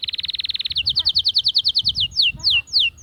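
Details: Singing Atlantic canary, song meant to rouse females to mate: a very rapid rattling trill, then a slower series of bright chirps, closing with a few widely spaced downward-sweeping whistles.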